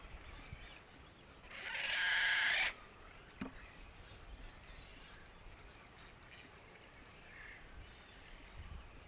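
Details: Black-necked stilt (Himantopus mexicanus), call.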